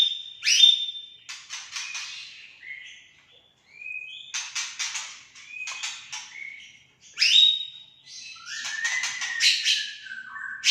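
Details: Aceh white-rumped shama singing in spaced bouts: sharp upslurred whistles followed by rapid rattling trills and short warbled notes, brief silences between phrases, no other sounds.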